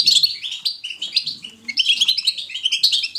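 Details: European goldfinch singing its natural, lively batbata twitter: a fast, unbroken stream of bright tinkling chirps and short buzzy trills, jumping up and down in pitch.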